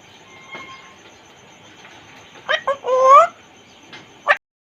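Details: African grey parrot, the Congo grey, kept in a cage and talking: a few clicky notes, then a clear, rising harmonic whistle with a downward sweep, ending with a short sharp burst.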